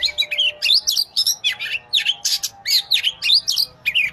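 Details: The Oriental magpie-robin sings steadily with rapid, evenly spaced bursts of sharp whistled and chirping syllables, about four per second, bright and high throughout.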